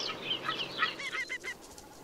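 Ruff giving short, clucking notes in a quick, uneven chatter, several overlapping as if from more than one bird, over a faint background hiss.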